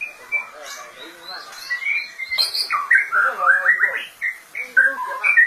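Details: Varied, rapid song of a white-rumped shama, mixing soft high whistles with a dense run of loud chattering and warbled notes, phrases tumbling quickly one after another.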